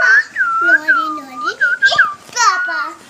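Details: A pet rose-ringed (ring-necked) parakeet talks in a high, nasal, whistly voice, running together quick speech-like phrases with sliding, rising and falling pitch over three seconds.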